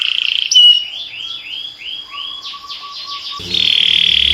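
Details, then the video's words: Softer canary singing: scattered slurred whistles and a short series of arched notes over a faint steady low tone. A loud buzzy trill enters at the end with some low background noise. "This Sweet Melody Will Excite Your Singing Canary!"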